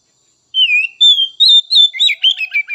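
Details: White-rumped shama (kacer) song used to stimulate other birds: clear whistled notes gliding between mid and high pitch, then a rapid run of short varied chirps, on a silent background.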